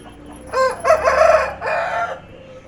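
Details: A rowdy rooster crowing while riding on a bike: one loud harsh crow with a short opening note, then a long strained middle and a falling end, about two seconds in all, over a low hum of background noise.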